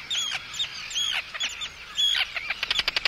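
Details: Arctic tern anxiety and threat calls at an intruder, plus calls from chicks, heard up close: a few scratchy falling screeches, then a quick series of short clipped ticking notes at the end.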